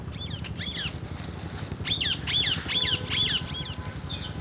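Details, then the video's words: Several parrots, one eating an apple, squawk in a steady run of harsh, descending calls about twice a second over a low rumbling background. "Parrot Eating Apple and others parrot natural sound"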